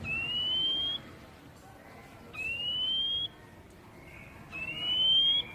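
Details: Oriental magpie-robin (kacer, poci type) whistles, played to encourage caged birds to sing. Long, pure, slowly rising whistles come about every two seconds over a quiet hiss.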